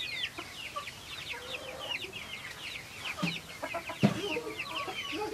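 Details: Flock of Silkie chickens kept on a farm, giving continuous shrill descending cheeps from many birds at once, with a few low clucking notes and a sharp knock near the end.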